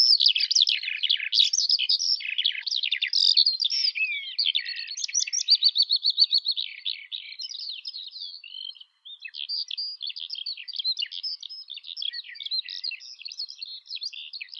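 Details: Eurasian skylark singing at length: a fast, unbroken flow of high chirps and trills, including a long even buzzy trill, then quieter rapid twittering after a brief gap.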